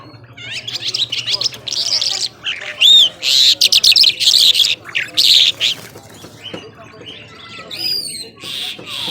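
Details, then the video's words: Powerful nonstop singing from an Irani Mashadi jhal skylark: loud high warbled phrases with clear whistled slurs and buzzy bursts, broken by short pauses, with faint low background hum early on. "Nonstop Singing Jhal"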